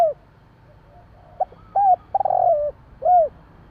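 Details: Nighttime calling of a Javan spotted dove: a brief soft note, two clear hooting coos, a rough rolling coo gliding down, and a final arched coo, with low background hum.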